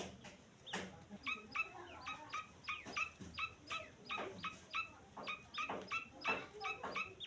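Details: Repeated thin, piping peeps from a grey francolin chick, each note brief and falling slightly in pitch. They run about three per second, somewhat irregularly, with scattered loud clicks and knocking sounds mixed in.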